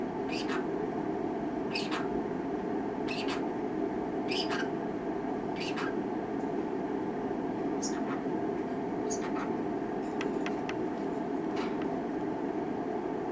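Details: Two-year-old pineapple green-cheeked conure, a pet indoors, vocalizing at a camera after its owners left the room; sharp squeaky chirps and short raspy notes spaced every second or two over a steady room hum.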